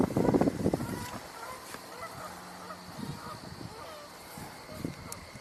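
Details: Geese, apparently coming in (speaker unsure), honk in a loud burst at the start, then distant scattered honks continue at a quick pace under a faint steady hum; recorded in summer on a 9/7/2024 tour.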